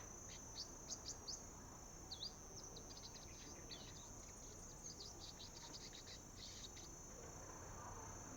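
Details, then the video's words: Young sunbird practising its song: a run of thin, high chirps and short twittering notes, fairly quiet over a steady hiss, with faint background noise. "Hút mật non tập hót | Baby birds practice singing"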